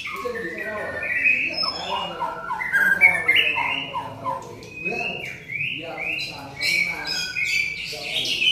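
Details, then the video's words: Varied song of a white-rumped shama, a busy stream of whistled notes, quick chirps and upslurred phrases repeated several times a second, with soft voices behind. "burung murai gacor"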